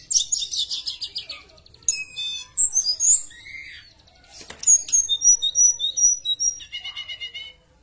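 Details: Lively Javan bush lark song used as a lure for other bush larks: a fast buzzy trill, sharp chirps and rising whistles, then a run of evenly spaced high whistled notes, and a closing trill.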